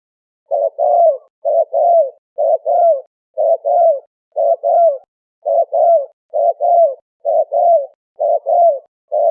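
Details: Steady, rhythmic cooing from a turtle dove, called the Malay dove locally. Paired soft notes come roughly once a second, each pair a short hoot then a slightly longer falling coo, with nothing else audible.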